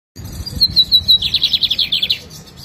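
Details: Lined seedeater from Jataúba, Pernambuco, Brazil, a kept bird recorded on a Friday, 11 November, at 3 in the afternoon: high thin whistled notes that speed into a fast, slightly descending trill, with low background rumble.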